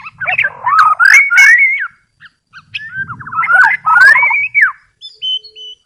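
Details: White-rumped shama song for luring wild shamas: two fluid, warbling whistled phrases that wander up and down, separated by a pause, with a faint low hum beneath and a thin high whistle at the end.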